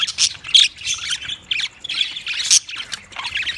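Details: Budgerigar squawks and chirps in quick clusters, sharp bright notes rising and falling, several loud peaks between quieter scratchy chatter.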